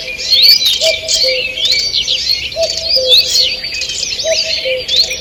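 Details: Early-morning woodland chorus on 2 June 2023: continuous high twittering with sharp rising and falling whistles, over a low two-tone hooting phrase repeated three times at steady intervals.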